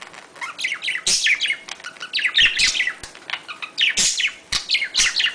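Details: Budgerigar chatter meant to stimulate mating: a dense, continuous run of high chirps, clicks and short warbles, with louder sharp bursts roughly every second.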